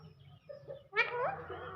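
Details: Parrot uttering a single loud, raspy syllable with a quick downward slide, after a softer murmured sound, set against a steady low background hum.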